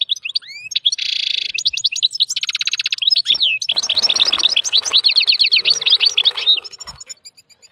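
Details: A male wild European goldfinch, excited while mating with a white female canary, sings strongly: liquid twittering notes, buzzy rattles and tinkling trills poured out continuously at a high pitch, with no other sounds.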